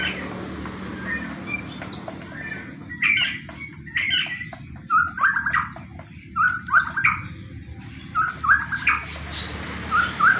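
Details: White-rumped shama song used as a lure to provoke other shamas to sing: varied whistled and chattering phrases begin after three seconds and repeat about every half second, over a steady low hum.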